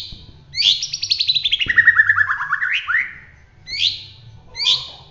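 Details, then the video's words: White-rumped shama, Bahorok type from around Medan, in roll tembak song: a rapid rolling trill gliding downward for two seconds with upward flicks at the end, then two short separate chirped notes. "suwara murai batu Bahorok gacor roll tembak"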